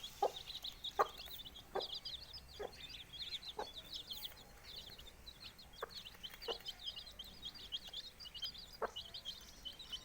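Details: Domestic chicks four days old peep nonstop in high, thin notes beside the hen that hatched them. She gives brief, low clucks about once every second or so.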